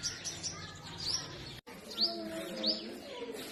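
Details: In forest trees of north-west Pakistan in spring, a purple sunbird gives a few scattered high chips and three clear upswept whistled notes, separated by a short silent gap.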